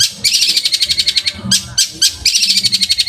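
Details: Long-tailed shrike song used as training material for other songbirds; fast rattling chatter of sharp, buzzy notes repeated about four times a second, broken by a few louder harsh bursts in the middle.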